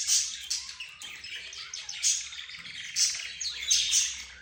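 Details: Mixed pet birds (budgerigar, zebra finch, roz, canary) give harsh, noisy chatter punctuated by piercing high squeaks and short buzzy notes.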